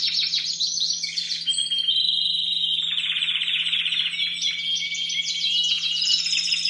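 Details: Timbrado Español canaries bred in 2015, young birds training in competition cages around late October to early November with an unfinished repertoire: a long unbroken metallic song of high trills, bubbling rolls and steady sustained ringing passages changing every second or two.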